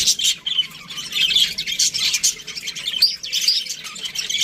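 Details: Flock of budgerigars in an aviary keeping up steady high chatter, overlapping warbles and short chirps, with a brief flutter of wings.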